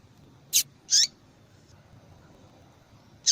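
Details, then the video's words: Calling female yellow-bellied seedeater, used by breeders to warm up a male's singing. Two quick, thin, high chips sound close together, then a long quiet gap before another chip at the end. "Fêmea de Papa capim Chamando Para Esquentar Papa Capim"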